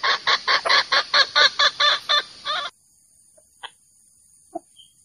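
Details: Male jungle fowl lure for trapping: about a dozen quick, harsh clucks over two and a half seconds, then near silence with a couple of faint clicks.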